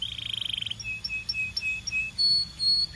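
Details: Belgian canary singing: a fast rolling trill, then spaced short whistled notes alternating high and lower, ending in steady sustained whistles and a rising note.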